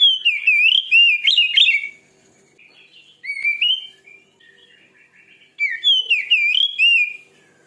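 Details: Oriental magpie-robin, presented as a fierce singer, delivering three loud phrases of looping whistles and rapid chips. Faint soft warbling fills the pauses between the phrases.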